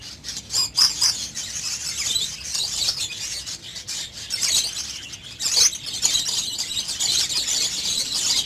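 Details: Budgerigars during pairing and mating give continuous high, scratchy chatter with sharp chirps bursting out every second or two.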